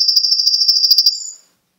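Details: Seven-month-old young male canary from Garni, Armenia, recorded 2 October 2014, delivering a rapid, even rattling trill of about twenty pulses a second that ends in a brief higher whistle, followed by silence.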